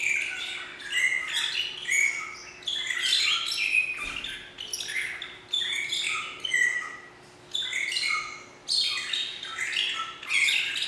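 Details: Magpie shrike singing in captivity at a zoo in Philadelphia, a shrieking, harsh series of mixed whistled and grating phrases in bursts roughly every one to two seconds, with a steady faint hum behind.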